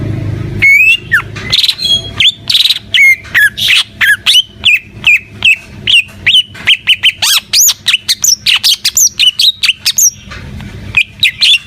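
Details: Greater green leafbird in full, lively song. It starts with a long series of short whistles, each flicking upward, then speeds into dense chattering phrases with high arching notes before a short pause.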